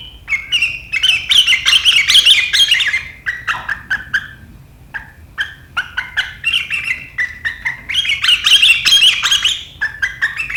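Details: Sooty-headed bulbul in sharp riwikan chattering meant to set rivals chattering too, 7 April 2023; dense runs of rapid scratchy, bubbling notes, a brief lull of short clicks, then another fast chatter.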